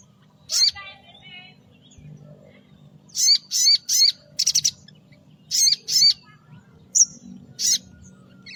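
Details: Sogon pastol (mountain tailorbird) in morning song meant to draw small birds: a sharp high note, then clusters of short, quickly repeated buzzy chips and clicks in uneven groups, with quiet gaps between.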